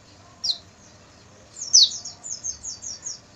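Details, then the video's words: Night song of the Oriental white-eye for caged-bird training: one isolated high chirp, a pause, then a loud sharp note followed by a run of five softer falling chirps at an even pace. "MASTERAN PLECI MALAM HARI,AGAR PAGI GACOR BUKA PARUH dan bongkar isian"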